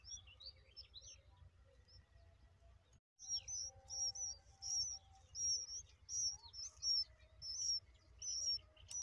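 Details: Bulbul babies, likely being fed: thin, high squeaky chirps, each a quick sharp note, repeated in close bursts about every half second after a short quiet start, over a low steady rumble.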